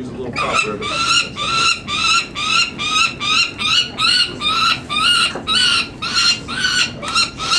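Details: Peregrine falcon chicks (three females, one male) being banded on 19 May 2009 at Market Tower, Indianapolis, give harsh, rasping screams, about two per second, each rising and falling; excited, not used to people; faint human voices underneath.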